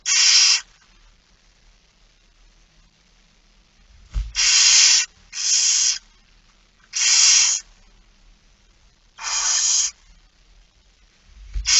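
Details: Barn owl hissing its begging calls during feeding at 06:57 on 13 September 2019. Six rasping, snore-like bursts come at uneven intervals, followed by the start of a seventh. Soft low thumps are also heard.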